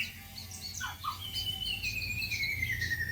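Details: White-rumped shama song for luring birds at home: a few short notes, then a long, clear whistle that slowly slides downward, with faint low noise behind.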